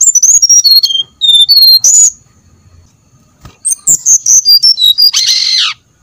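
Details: Brown-chested jungle flycatcher, recorded as a lure to make birds sing: quick descending runs of clear high whistles, one phrase ending in a short harsh buzzy burst.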